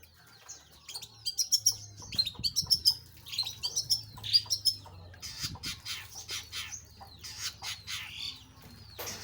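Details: Pentet or cendet, the long-tailed shrike, singing busily: clusters of thin high chirps and squeaky notes, delivered rapidly for several seconds, with a steady low hum in the background.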